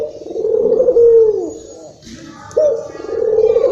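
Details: Local Barbary dove from Indonesia, excited, used as a lure for other doves: one long rolling coo sliding down at its end, a brief lull with a faint rustle, then the next coo starts.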